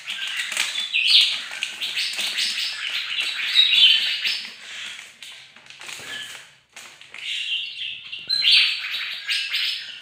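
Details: Long, energetic morning song from a bird-of-paradise: rapid, rattling, twittering chatter with occasional clicks and a brief dip in volume before it resumes.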